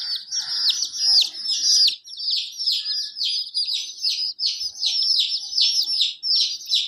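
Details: A hen's colourful chicks give a steady chorus of loud, high peeps, each bending downward, repeated quickly and overlapping throughout.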